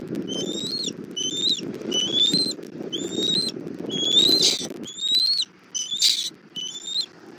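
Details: Nest camera on a Southwest Florida bald eagle nest, 1 April 2024, 17:30, mother delivering food for the chick: a chain of about ten piping, rising whistled squeals with overtones, plus a couple of harsher bursts, over steady rustling noise.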